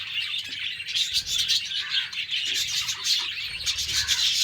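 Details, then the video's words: Morning chatter from a caged group of pet budgies, with a ceaseless stream of high, overlapping chirps and warbled twitters and little variation in loudness. "LOVE BIRDS .... MORNING VIEW OF MY BUDGIES CAGE"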